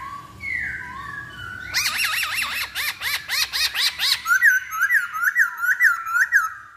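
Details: Masked laughingthrush song used as a lure to provoke another bird into singing: soft falling whistles, then a fast run of loud, ringing, harmonic notes, ending in a steady string of looping whistled phrases about three per second.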